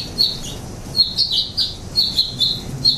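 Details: House finches feeding on nectar at a hummingbird feeder in San Francisco, where they breed in summer; clear, high chirps repeated about every half second, some paired or slurred.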